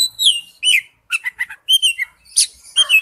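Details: Oriental magpie-robin song used as a lure: varied whistled phrases and short chirps, some notes sliding downward, in separate bursts with brief pauses, high and clear.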